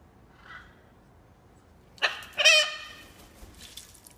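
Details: Wild macaws being fed give a quick pair of harsh, grating squawks, loud and buzzy, after a faint softer call earlier, then fading scratchy noise.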